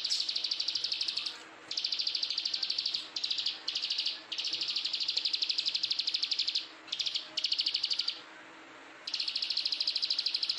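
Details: Bar-winged prinia, described as ciblek sawah or plain prinia (Prinia inornata), singing high, buzzy notes fired in rapid, dense runs, each burst lasting one to three seconds with brief pauses between.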